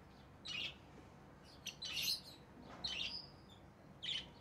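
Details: Pet rosy-faced lovebirds, orange-faced green and red-headed green forms, making scattered shrill chirps and short squeaky notes against a steady low room hiss.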